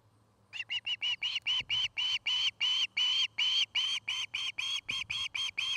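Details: Osprey at a nest in Charlo, Montana, on a nest camera in the afternoon; a courting, nest-building pair. A long, steady string of some twenty loud whistled chirps, evenly repeated about three per second, with light knocks and a low hum.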